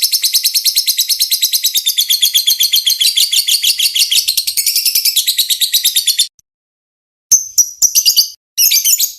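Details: Long 'ngetik ngekek' lovebird chatter for teaching other birds: a dense, rapid rattling string of scratchy notes running for six seconds, then a brief silence and several shorter, choppy chattering bursts.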